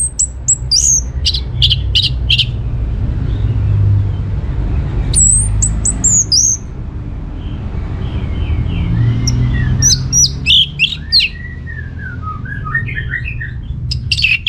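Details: Song of an orange-headed thrush played to prompt other birds to answer. Bursts of piercing high notes and clicks repeat, mixed with softer rippling, descending warbles. A low hum persists throughout.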